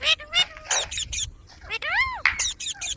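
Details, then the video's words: Baby Indian green parrot said to be talking, giving choppy raspy squawks and then a long arched whistle that rises and falls, followed by more short rough notes. "Baby parrot talking|Ameging Indian parrot|Green Parrot|Mithu ki Aavaj|Desi parrot talking video"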